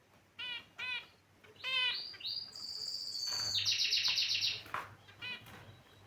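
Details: Caged finches calling: sharp stacked chirps spaced about half a second apart, then a long bright buzzy trill of roughly two seconds, a quick falling note and a few last chirps.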